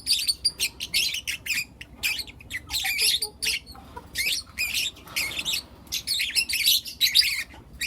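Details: Morning chatter from four young lutino lovebirds kept as pets; loud, sharp, high-pitched chirps in quick bursts separated by brief silences, overlapping squeaky calls.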